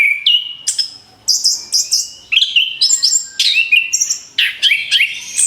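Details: Orange-headed thrush song played as a lure for other birds: rapid varied phrases of high whistles and chirps, sharp notes and slurred whistles tumbling in quick bursts with short gaps.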